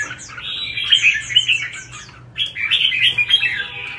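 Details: Competition-singing red-whiskered bulbul (chào mào hót đấu) delivering loud, rich warbled phrases with bright whistled peaks, a short pause midway, then another fast rolling phrase; clean, close recording.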